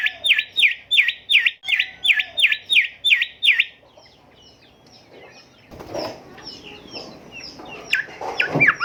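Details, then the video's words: Golden whistler song used to tutor caged songbirds: a fast train of sharp, swooping whistled notes for nearly four seconds, followed by quieter scattered chirps, rustling and a few high whistles. "Merdunya Kicau Golden Whistler gacor"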